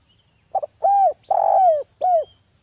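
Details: Forest-style song of a tekukur, the spotted dove, used to lure other doves into answering: a quick double note, an arching soft coo, a long coarse coo trailing downward, and a brief falling coo over a faint constant whine.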